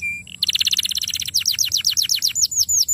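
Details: Song of a young canary used as a lure for long rolls: two brief flat notes, then a fast rolling trill turning into repeated downslurred whistles that slow and rise in pitch.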